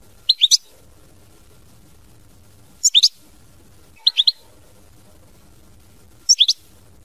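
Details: European goldfinch producing four brief bursts of two or three sharp, high chirps, about two seconds apart, in an otherwise quiet setting.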